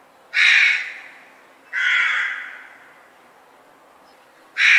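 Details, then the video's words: Crow gives three harsh, raspy caws, each about half a second to a second long and spaced a couple of seconds apart; the second is longer and trails off. "Magpies & Crow Cawing Sound"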